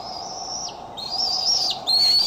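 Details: Bald eagle at the Decorah eagle nest, filmed by a nest camera on July 6, 2011, in the afternoon or evening: thin, high whistled notes that hold steady and then dip, with a brief squeal, over a low background hum.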